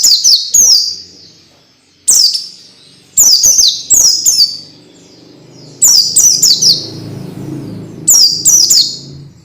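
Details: Tutoring song for young, untrained orange-headed thrushes (peleci), used to bring on quick, persistent singing: shrill descending whistles in groups of two or three, the later groups over a rising low rumbling background noise.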